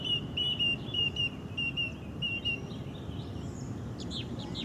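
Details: Orange-banded thrush singing wild isian (filler) song: a rapid string of thin, level whistled notes, about two per second for two and a half seconds, followed by softer scattered chirps amid constant low background noise.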